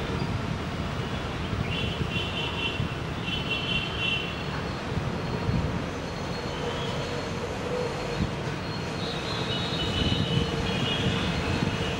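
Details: A steady rumble of a passing train, with faint high squeals from the wheels now and then, and no animal voice.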